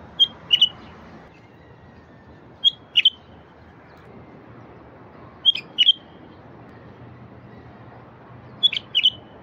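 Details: Wild bulbul song used to stir quiet wild bulbuls to sing: four short phrases, each a pair of bright chirped notes, repeated roughly every three seconds with quiet gaps.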